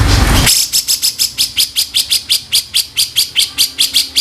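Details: Grey-cheeked bulbul rough kasaran as tutor sound: rapid, evenly spaced harsh buzzy notes, nearly three each second, following a short loud burst of noise at the start.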